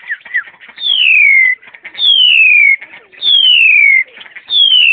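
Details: Black-collared starling kept in a cage, encountered on a hillside walk in March 2010: four long, smoothly descending pure whistles spaced about 1.2 seconds apart, with faint chatter between.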